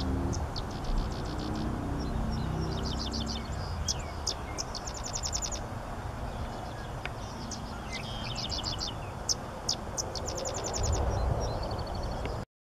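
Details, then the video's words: Sedge wren singing in a large restored grassland with willows in St. Joe, Indiana, June: dry, high, rapid chattering trills repeated in bursts with short sharp chips, over steady low rumble of distant traffic. "Sedge Wren singing"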